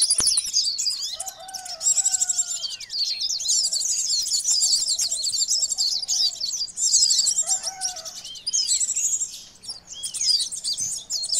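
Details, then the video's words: Noisy common iora lure calls: dense, busy high chattering and twittering notes, many overlapping, with a few lower whistled slurs underneath. "Suara pikat konin ribut"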